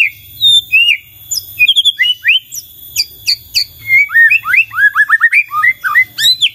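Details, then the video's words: White-rumped shama in energetic song meant to get others answering: fast varied whistles and chirps, ending in a rapid run of short downslurred notes, over a constant high tone. "belum 1 menit SUDAH BANYAK murai lain IKUT NYAUT dan GACOR dengar ini"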